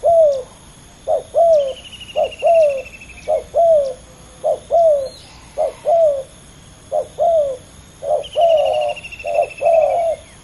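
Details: Spotted dove, two males in competition, cooing in a regular rhythm of short and longer low notes, paired phrases repeated steadily, with a descending high insect-like trill twice in the background.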